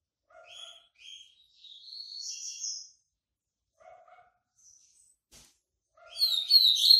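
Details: A white-breasted yellow-bellied seedeater (coleiro baiano) coming out of moult gives short paired chirps, then a longer rising buzzy phrase, a pause with soft notes and a click, and a loud trilled burst at the end.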